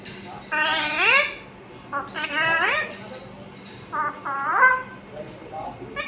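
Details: Talking pet ringneck parrot saying "mummy papa": four harsh, voice-like utterances, each ending in a rising upward slur, spaced about a second apart over a low steady hum.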